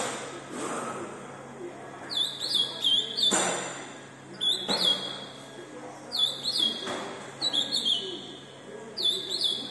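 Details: Fast-singing Ultramarine grosbeak delivering short, rapid warbled phrases every one to two seconds, high and twittering. Sharp knocking clicks and faint background noise sound between phrases.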